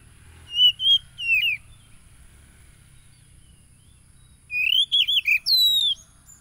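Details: Oriental magpie-robin song used to provoke a caged wild-caught bird into singing, recorded on a phone in Lampung Timur, Indonesia, 30 July 2022: two bursts of clear, slurred whistles around mid pitch, separated by three seconds of silence.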